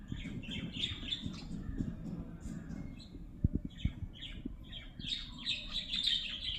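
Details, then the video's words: Lovebirds make busy high chirping and squeaky twitters, a dense burst at first, a quieter middle with a few knocks and thuds, then a louder chattering flurry at the end, above low rumbling noise. "Love Birds Sound"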